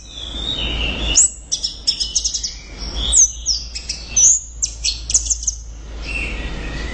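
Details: Orange-headed thrush (anis merah) in loud full song: rapid varied high whistles, chips and slurred notes delivered in quick bursts with short pauses.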